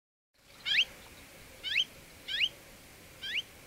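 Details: Crested lark from Córdoba: four short, clear whistled notes, each a quick rising slur, spaced roughly a second apart against light background hiss.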